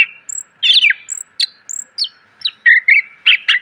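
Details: Greater green leafbird song used to train cage birds, full of fills. Slurred, warbling phrases mixed with high thin whistles and brief chips, ending in several rich, rolling notes, with a faint steady hum behind.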